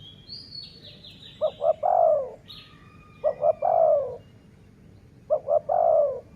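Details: Dove calling during decoy luring: three phrases, each two short clipped notes then a long, low, falling coo, about two seconds apart. Thin high chirps from small birds sound over quiet background hiss.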